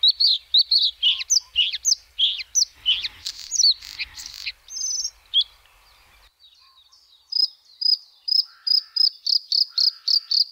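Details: A singing White-spotted bluethroat delivers varied high twitters and buzzy notes, then after a short pause a rapid, even series of ringing repeated notes about three per second.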